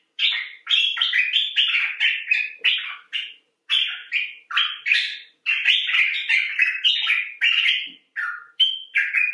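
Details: Expressive chatter of a common bulbul, Pycnonotus barbatus: long run of bubbly, warbled notes delivered rapidly in bursts, several short phrases separated by brief pauses, with occasional higher squeaky notes.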